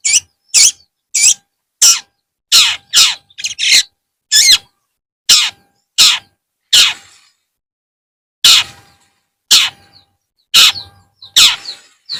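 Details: Long-tailed shrike in the afternoon giving loud, harsh, scratchy notes, each a short broadband burst, repeated roughly every half second with a quiet gap near the middle; no other sounds.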